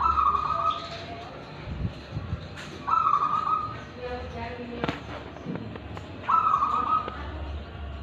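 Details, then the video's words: Local wild zebra dove from Tulungagung in full song with crystal and ulem tones: three rolling, trilled coo phrases spaced about three seconds apart, with scattered clicks, taps and faint voices in between. "GACORAN Perkutut Lokal Alam Dengan Suara Ulem dan Kristal"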